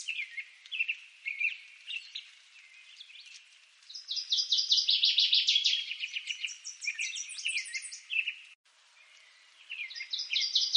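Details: Northern waterthrush singing a loud, rapid series of ringing, sharply down-slurred notes. The series builds in volume and runs into a fast chattering ending. A new phrase starts near the end, and softer chips from other birds are heard between phrases.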